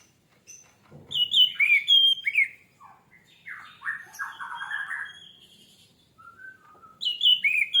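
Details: Orange-headed thrush singing, offered as a lure to set captive birds singing. Loud, rich phrases of sweeping whistles and rolling buzzy notes, then a short gap before bright high whistles resume.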